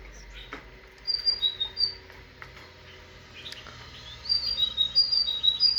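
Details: A tit sings a few spaced high whistled note pairs, falls quiet amid faint chirps and clicks, then returns with a rapid, steady run of alternating high and lower whistles.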